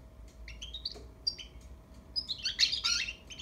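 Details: European goldfinch youngster practising song, softer here: a few spaced rising chirps give way to a brief, busier burst of high twittering near the end.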